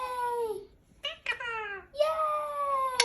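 A rose-ringed parakeet talks in a high, nasal, childlike voice, giving three short speech-like phrases with rich harmonics in a quiet room.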